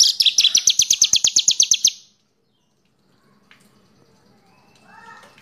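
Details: Horsfield's bush lark, caged, its song played as a lure to prompt other birds to sing: a two-second burst of rapid buzzy high pulses, then near silence with faint distant chirps at the end.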